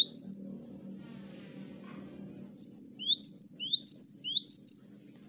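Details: Several cinereous tits on a master recording used to prompt singing: a few whistled notes, a hum-filled pause, then a quick string of repeated falling-rising whistled phrases against a low steady drone.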